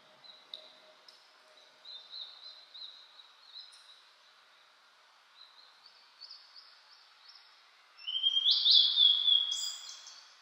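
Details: A Blue-and-white flycatcher in new-leaf mountain woods, spring 2022, the day after rain, cloudy, 14°C. Faint, thin whistled notes are followed by a loud, rich whistled phrase with a buzzy finish.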